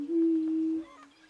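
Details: Greater prairie chicken at its mating dance giving one low, steady, humming hoot that lasts under a second and then fades into a fainter drone.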